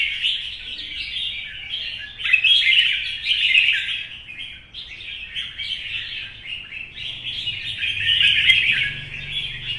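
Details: Older wild-caught red-whiskered bulbul kept in a cage, singing in contest style under the morning sun; long rambling stream of sharp chirps and warbled whistles, swelling louder near the middle and again toward the end.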